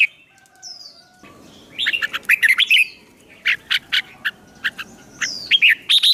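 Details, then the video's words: Songbird singing a fighting song for training and exciting newly caught wild birds; a rising whistled note opens, then a dense run of sharp chirps and separate loud high notes repeated at irregular short intervals. "Luyện chim hót đấu, kích bổi lên lửa"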